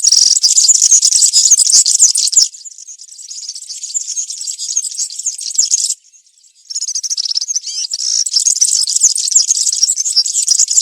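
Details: European serin in woodland performing country-style song used to teach young serins: long, shrill, rapid tinkling and buzzing runs, a quieter section, a short gap, then extended loud jingling.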